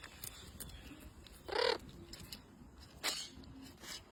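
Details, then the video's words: Green macaw giving one loud, harsh squawk, then a shorter, quieter screech about a second and a half later, over a steady background hiss. "Green Macaw"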